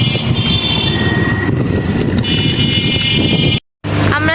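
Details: Steady vehicle rumble with droning tonal whines in the upper range and a brief dropout near the end; no animal voice can be picked out.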